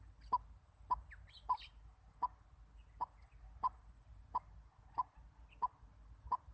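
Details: White-breasted waterhen kept as a decoy bird for trapping, giving short clucking notes of moderate pitch, repeated steadily about every two-thirds of a second, ten notes in all, over a low rumbling background with a brief higher chirp from another bird.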